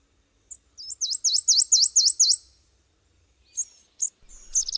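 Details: Subalpine warbler (Sylvia cantillans) giving a rapid, even series of six or seven swooping high notes after a few introductory chips. Scattered sharp notes follow, then a new rattling start.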